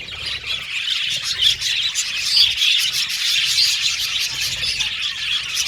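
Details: Aviary colony of Australian budgies producing a steady wash of bright, twittering chirps with scattered sharper notes poking above the constant high-pitched chatter.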